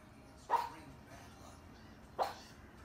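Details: A pet cockatoo barking like a dog while watching a nature program on television, giving two short, sharp barks about two seconds apart against quiet room noise.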